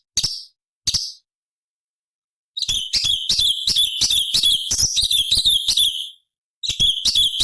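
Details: Cucak cungkok bulbul giving high-octave song variations for tutoring songbirds: two short isolated chirps, a pause, then a long rapid burst of buzzy, rattling high notes, then a fresh burst after a brief gap.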